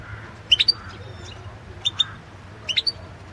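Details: European goldfinch competition song from the 2016 world championship: three short, separated clusters of high, clear chips and a thin note, with long quiet gaps between them and a soft low hum throughout.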